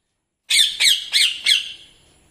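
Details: A young pet Indian ringneck parakeet gives four harsh, high squawks in quick succession, about one every third of a second, the last trailing off.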